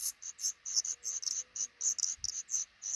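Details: Black redstart nest with five chicks in a small nook above a house door; an almost continuous run of high, sharp, squeaky notes, several per second, with a faint low thud partway through.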